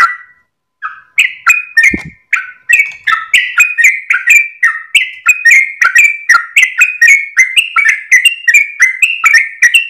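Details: Dawn song of a sooty-headed bulbul, locally trucukan, tail wagging, in long rapid 'ropel' style for tutoring cage birds: after a brief thump, an unbroken run of bright whistled notes, about three per second, alternating higher and lower.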